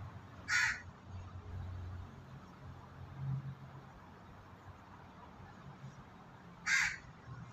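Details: A crow gives two harsh, hoarse caws about six seconds apart, heard while white pigeons peck at food, over a low rumble of background noise.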